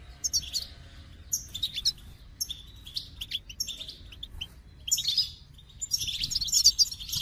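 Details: Goldfinch singing in bursts of high, bright twittering, with short liquid phrases separated by brief pauses and a denser tinkling flurry near the end.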